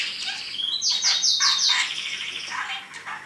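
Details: Caged pet parrot, male, vocalising while talking: a dense burst of high whistling and chatter, with a rapid series of sharp buzzy upper notes near the start and softer rasping calls afterwards.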